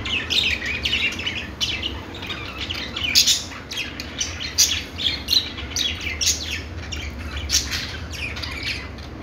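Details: Budgerigars singing: dense, continuous warbling chatter of quick chirps, squeaks and scratchy notes, with louder bursts every second or so and a low steady hum underneath.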